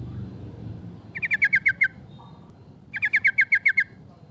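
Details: Female sooty-headed bulbul giving a rapid 'cok cok' rolling call to draw out rivals, used as a lure: two quick bursts of about seven clipped, bright notes, each burst under a second, over a low background hum.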